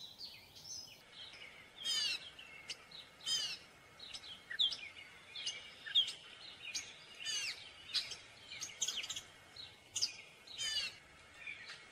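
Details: A gray catbird sings a varied, halting series of scratchy bursts and thin squeaky whistles, one phrase after another, with a faint steady whine in the background.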